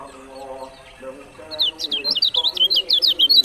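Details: Lombok lemon-bellied white-eye (kecial kuning) starting a quick run of high, thin, slurred chirps that speeds into a steady twittering series. Lower harmonic sounds fill the opening second.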